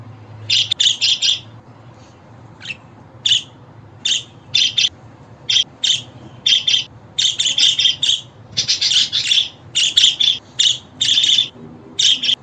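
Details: A budgerigar chirps in scattered single notes at first, then in dense rapid runs of raspy bursts toward the end, over a faint drone.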